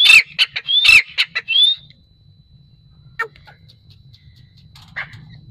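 Grey francolin giving a loud burst of harsh, ringing notes with rising squeals over two seconds, then a few fainter calls over a low background hum.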